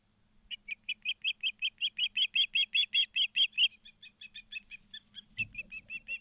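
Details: Osprey at the nest in Charlo, Montana, mid-September 2023 afternoon, gives a rapid run of about sixteen loud, piercing whistled chirps, then softer, uneven chirps with a brief thump.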